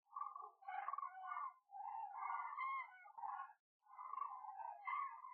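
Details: Cranes at Gallocanta lagoon gliding over cultivated fields in search of food, calling in a loose chorus of rolling, trumpeting notes with harmonics, overlapping bursts separated by a brief silence near the end.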